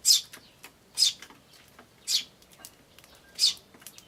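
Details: Tree sparrow chicks begging "chi chi" alongside calling adults, recorded 10 May 2013 on a camcorder; four loud high chirps at irregular intervals about a second apart, small clicks in the quiet gaps.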